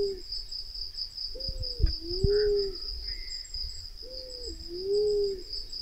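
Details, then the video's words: Black-naped fruit dove lure call used by hunters to call the birds in: two deep hollow coos, short opening note sliding into a longer rising hoot, spaced about three seconds apart, over a continuous shrill insect hum and a few clicks. "SUARA PIKAT PUNAI KEMBANG Black naped Fruit dove (Ptilinopus melanospilus)"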